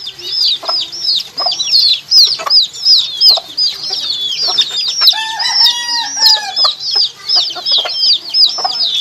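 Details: Actual footage of baby chickens, with a long stretch of rapid, overlapping high peeps, about three a second, and a brief lower, steadier call partway through before the cheeping carries on.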